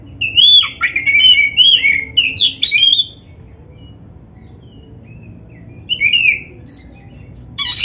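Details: Black-breasted oriental magpie-robin, recorded as a master track for teaching birds to sing: a tumbling burst of mixed whistles and harsh chatter, a long pause, then short sharp notes and a high thin whistle.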